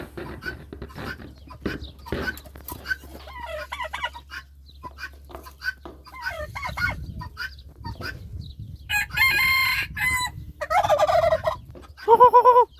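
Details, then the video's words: Rooster calling back and forth with a turkey: scattered soft clucks at first, then loud, rough, harmonic calls, and a final strained crowing note. "The sound of a rooster and a turkey in a conversation between them"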